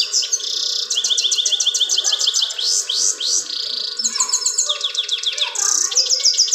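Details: Goldfinch singing at a mirror, Parachinar, 2022: a fast, bright stream of tinkling twitters and powerful rolling trills.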